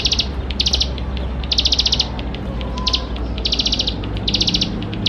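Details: Bar-winged prinia, singing a full chattering song with fill-ins as a lure for young birds: clusters of fast, high, dry trilled notes separated by brief single ticks, steady low hum in the background.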